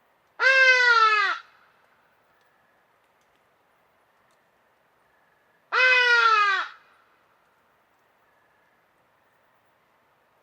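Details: Trumpeting calls of the hadada ibis, also called hadeda ibis: two loud, raucous, nasal notes about five seconds apart, each slightly descending, with a third call just beginning at the very end.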